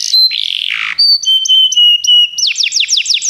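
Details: Canary song meant for training: a buzzy descending slur, then a chain of clear level whistles stepping down in pitch, ending in a quick run of sharp falling sweeps.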